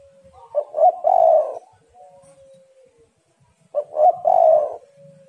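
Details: Two phrases from a female spotted dove calling to stimulate males come about three seconds apart. Each has stuttered short notes and a long husky coo, with a faint steady tone between them.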